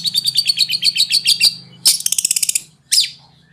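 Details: Long-tailed shrike (cendet) training song, konslet style: a rhythmic series of high, ringing chips, then a fast rattling trill and one harsh burst, over a low hum.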